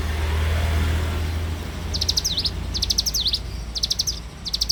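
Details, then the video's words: Bar-winged prinia morning song. A low rumble like a passing vehicle fills the first two seconds, then come phrases of quick high ticks ending in short dipping whistles, about one per second. "suara alam cigun gacor dipagi hari"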